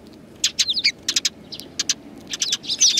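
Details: On 7 April 2020, sparrows greet the filmer on the outbound route, one with an injured foot; clear, loud chirps in quick clusters of two to four, crisp and high, with little background noise.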